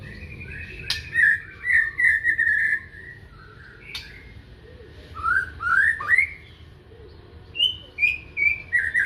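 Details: Magpie-robin in morning song: varied whistled phrases, some wavering, some rising in quick slurs, with short pauses between groups. Occasional sharp clicks, with low rumbling noise underneath.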